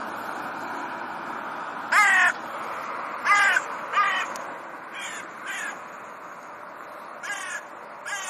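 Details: Raven, one of a pair alone again in their territory, squabbling with neighbouring birds: harsh, stacked caws given singly and in short runs at uneven intervals, some louder and nearer, others fainter, over steady background hiss.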